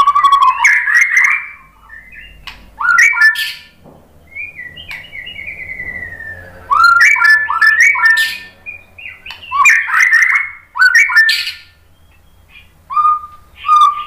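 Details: Murai batu, the white-rumped shama, singing a lure song meant to make birds reply: bursts of rich, rapidly changing whistles and chirps separated by short quiet gaps, with a long gliding whistle in the middle.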